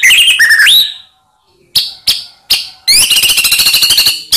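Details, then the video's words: White-rumped shama song used as a lure to provoke other shamas: rising whistles, a pause, three sharp separate chips, then a dense, fast trilled chatter. "Murai Diam Langsung PANAS Dengar Pancingan Ini"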